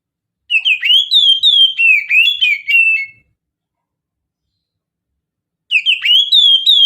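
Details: Whistled mountain-style song of an oriental magpie-robin used as a lure: a fast string of bright slurred notes about three seconds long, rising and dropping in turn, a silent gap, then a fresh rising phrase.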